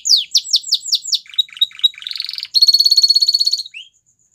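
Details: Song of a Belgian canary used in training: five loud downward-sweeping whistles, soft clicking notes, a buzzy rattle and a clear high trill ending with one short rising note.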